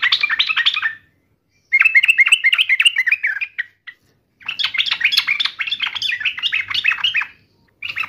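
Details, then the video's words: Yellow-vented bulbul singing energetically against a rival in three long bursts of rapid, gurgling, warbled notes separated by short silences. "trucukan gacor MENGEJEK LAWAN"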